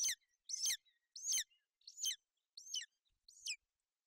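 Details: A female golden eagle with her chick on the Bucovina nest, 28 May 2021, sheltering it from bad weather. Six loud, high, falling chirps come in a fairly even run, fading slightly toward the end.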